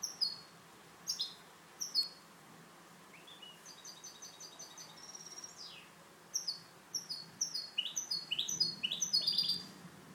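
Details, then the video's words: Goldfinch hybrid in a cage, kept for song education, singing clean song: quick descending chirps, a sustained rattling trill with a rising whistle, then a rapid burst of twittering notes. "MIXTO JILGUERO CANTO LIMPIO"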